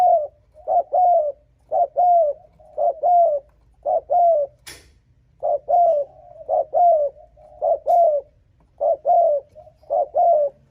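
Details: Spotted dove with insistent cooing used to lure wild rival males: around ten paired hollow notes repeated almost every second, a brief sharp click midway, otherwise quiet surroundings.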